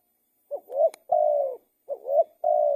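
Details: Two full cooing phrases from a spotted dove. Each is a clipped low note, then a coo that rises and swells, then a long flat coo held for about half a second. A faint click falls between the notes.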